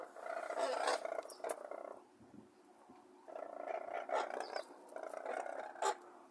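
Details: Brolgas near Longreach, Queensland, Australia, giving harsh, pulsed trumpeting calls in two long bursts with a quieter gap between, several birds overlapping, plus faint clicks.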